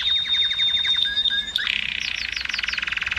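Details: Canary song to stimulate females to breed: a long steady high whistle, then brief swooping notes, breaking into a rapid rattling trill with fast repeated chips above it.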